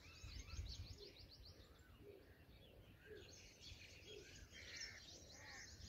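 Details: Black drongo chicks being fed, giving rapid, high, thin chirps in quick repeated bursts, with softer lower calls scattered beneath and steady low outdoor rumble throughout.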